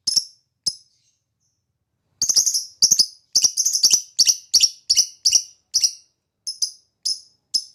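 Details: Lovebird calls from a recording intended to spur other lovebirds into ngekek song: short, sharp, high chirps, first two isolated notes, then a pause and a quick irregular series of scratchy chips.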